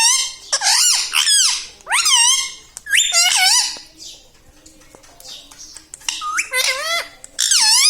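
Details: Talking pet parrot indoors, known for phrases like mithu mithu and mummy papa; bursts of loud, shrill, nasal syllables rising and dipping in quick sequences, a quiet stretch midway with soft clicks, then more rapid chattering phrases.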